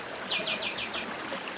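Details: Chestnut-bellied seed finch, a northeastern Brazil bird, singing by a stream: a quick burst of five buzzy, high-pitched notes repeated evenly in under a second, with faint running water beneath.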